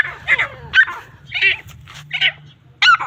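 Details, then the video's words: Grey francolins in a fight, calling in rough, buzzy bursts with sharp squeaky notes, several calls in quick irregular succession over a constant low hum. "teetar ki ladai|irani teetar ki ladai/larai|Grey francolin sound |teetar fight|"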